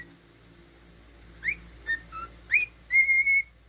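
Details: Under a steady low hum, a pet male cockatiel gives a few quick upswept chirps and short notes, finishing with a long, even, slightly wavering whistle.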